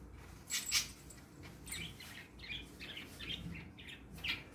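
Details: Three pet parakeets, happy and playing in the morning, chirp in quick, scratchy, high, bright bursts with short pauses between clusters, over a faint room hum.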